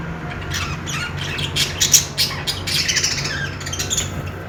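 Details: Budgerigars chirping and chattering as they play: a dense, busy mix of high squawky and twittering notes over a steady low hum.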